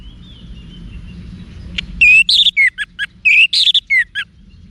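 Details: Orange-headed thrush song for training cage birds, with a steady run of loud, varied whistled notes and sharp chirps in rapid succession after a faint thin whistle.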